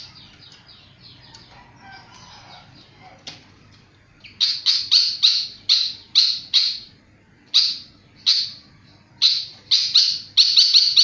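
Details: Flycatcher in lively, persistent song: after a few quiet seconds, a run of loud, sharp high chirped notes repeated in quick bursts, about two or three per second, with brief pauses between groups.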